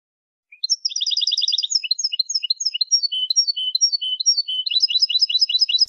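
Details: European goldfinch song used to tutor birds. A brief low note, then a rapid run of paired twitters and a series of varied slurred chirps with short buzzy phrases, ending in quick repeated notes.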